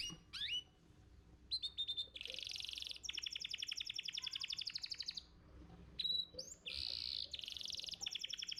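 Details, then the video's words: Song of a competition-winning canary used to train other birds: short whistled slides, dense buzzy rolls alternating with long rattling trills of tightly repeated high notes, a steady low hum behind. "Pancingan Kenari Muda Cepat Bunyi & Ngeriwik – Masteran Kenari Juara Gantangan"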